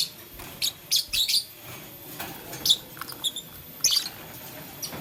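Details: Lovebirds, blue, lutino and green, playing with a flower in the morning and chirping: quick clusters of shrill high chirps, several in the first second and a half, then scattered single notes.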